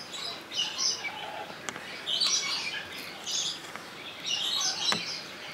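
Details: Rainbow lorikeet in Opole Zoo, recorded on a Sony HDR-XR160E camcorder: bursts of shrill, high chattering screeches come in clusters. Sharp clicks punctuate the brief pauses between them.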